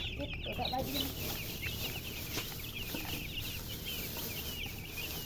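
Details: Baby chickens chirping as a steady mass of high, quick peeps over a hissy, noisy background.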